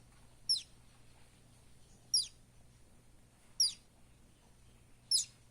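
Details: Baby buff-banded rail in the Philippines calling: four sharp, high-pitched downslurred peeps spaced about one and a half seconds apart, with a steady low background hum.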